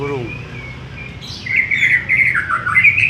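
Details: White-rumped shama song: after a brief spoken word, clear whistled phrases near the upper-middle range begin halfway through, warbling and slurring up and down in quick succession over low background hum.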